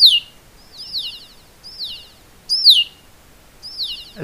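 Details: Male Red-winged Blackbirds in a marsh give thin, high, down-slurred 'seeer' hawk-alarm whistles, one roughly every second and overlapping, after spotting a stuffed Cooper's Hawk; a low thump at the end.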